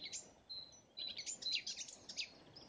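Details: A garden warbler sings on 30 May 2017 at Gniben, a quick, rambling, blackcap-like warble of varied high notes; after a few short opening chirps it runs on steadily, with soft background hiss.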